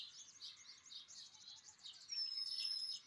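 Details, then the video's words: Pied wheatear (Oenanthe pleschanka) giving quick, high, scratchy chirps in a busy run, ending in a brief thin whistle, over faint background hiss. "Pied Wheatear (Oenanthe pleschanka) - Traquet pie - Nunnudepill - Nonnestenpikker - Collalba Pía"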